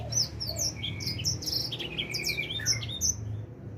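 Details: Four-month-old edel sanger finch beginning to sing, giving quick high chirps and down-slurred whistled notes in a busy twittering run, over a steady low background hum.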